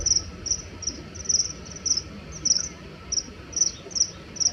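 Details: Common kingfishers in Japan, two males fighting an aerial territorial battle with hovering, give threatening calls: sharp, very high, thin notes repeated in quick uneven series about every half second.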